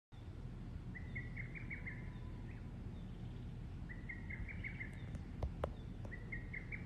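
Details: A lesser cuckoo singing alone in Shikokuchuo, Japan, on 16 June at 19:24, giving quick, stuttering bursts of five or six sharp whistled notes about every three seconds, over a steady low rumble and a few clicks.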